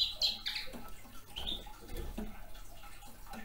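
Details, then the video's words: A young male Red Crossbill feeding on cones gives a brief burst of high, clipped chirps near the start, then one more, followed by soft crackling and rustling. "Клест еловик"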